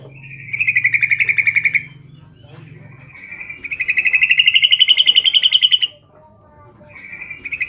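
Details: Yellow-vented bulbul female calling to a male: bursts of rapid buzzy pulses, the second rising slightly in pitch as it goes. A low hum sits under the first burst.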